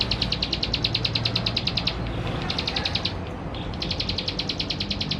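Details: Vigorous male Plain Prinia (ciblek sawah) recorded in West Java on a Canon camera to provoke other birds; three brisk runs of rapid, ringing high notes, roughly ten per second, with brief gaps and a low background hum.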